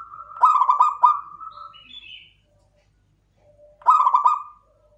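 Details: Local klowongan zebra dove repeating a song phrase of rapid, rolling coo pulses with a drawn-out ending. A brief higher chirp from another bird sounds between the phrases.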